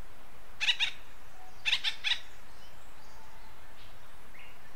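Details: Western North American acorn woodpecker uttering a harsh double note, then a quick run of grating notes in pairs about a second later, followed by quiet with faint distant chirps.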